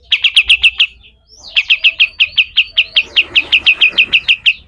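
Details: Master recording of a pied triller, locally kapas tembak, in rough besetan kasar style: crisp short chip notes in a steady run, about six, a brief gap, then roughly seventeen more at an even fast pace.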